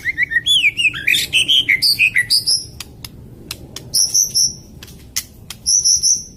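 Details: White-rumped shama singing a harsh rapid song: fast runs of varied whistled and chattering notes, some rising and falling, broken by sharp clicks, then clear high whistles near the end.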